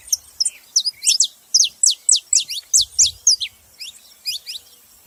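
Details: Saffron finch singing a steady series of bright, high downward-sweeping chirps, about four per second, with a brief low thump near the three-second mark.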